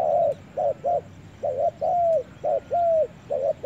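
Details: Spotted dove in a forest delivering low hollow coos: short clipped notes mixed with longer drawn-out, gently falling croons, in an uneven rhythm across a few seconds.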